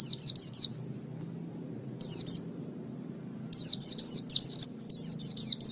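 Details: Japanese white-eye (pleci) in gacor song: rapid high-pitched chirping phrases of falling slurred notes, given in three spaced bursts with quiet gaps of over a second between them, over a faint low background hum.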